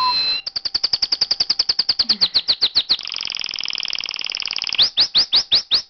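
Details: Small pet canary in song, sounding like a machine gun: a long fast rattle of high chirps that turns into a dense buzzy trill, then slower upward-sweeping whistles repeated about twice a second.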